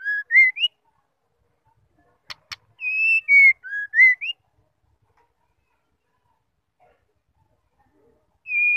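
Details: Female white-rumped shama calling to provoke males into singing: a phrase of clear whistled notes, some rising and some falling, followed by two sharp clicks and a second whistled phrase. Silence in between, then another whistle begins.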